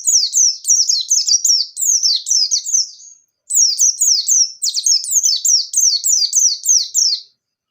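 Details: White-eye singing persistently in 'ngalas nembak' style, used to coax young birds into song: nearly continuous high, twittering chains of sharp descending whistled notes, about four per second, with one brief pause midway.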